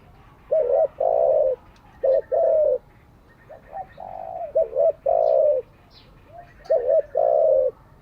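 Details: Spotted dove cooing for daily training of decoy and wild-caught doves: three phrases of a quick double note followed by a long hollow coo, about two seconds apart; faint high chirps from other birds.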